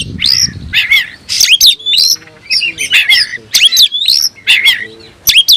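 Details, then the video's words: A kept oriental magpie-robin sings as if looking for a rival, repeating loud swooping whistles and scratchy notes in short bursts about every half second, with faint low hum. "suara burung Kacer mencari musuh"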